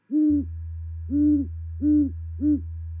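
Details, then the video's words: Great Horned Owls duetting at night (00:34) in Charlo, Montana, on 8 November 2019: four deep, soft hoots in a loose rhythm of about one per second, over a steady low electrical hum. "Great-horned Owl Duet"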